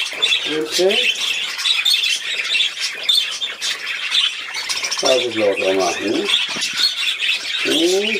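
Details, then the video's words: Budgerigar at play, recorded 13 December 2019, keeps up a dense, scratchy high warble of rapid chirps and squeaks, while a woman speaks over it in German several times. "Der Wellispielfilm"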